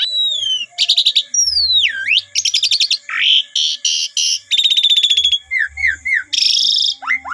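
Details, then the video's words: Phone recording of Asian pied starling song played to stimulate a silent starling: swooping whistles, dense rattling buzzes, a harsh rasp, fast metallic trills, and looping chirps in varied succession. "Pancingan Jalak Suren 100% Jitu !! Jalak Suren Macet Langsung Ikut Gajor Full Isian"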